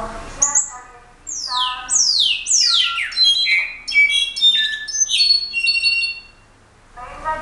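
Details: Brown-backed solitaire singing: a run of clear, high whistled notes sliding steeply downward in quick succession, then scattered ringing pure tones. Brief lower, harmonic-rich notes are heard at the start and end.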